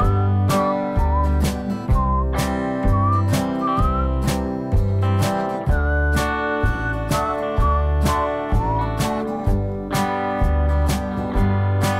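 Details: Acoustic guitar music with strummed chords and a whistled melody, with no animal sound heard.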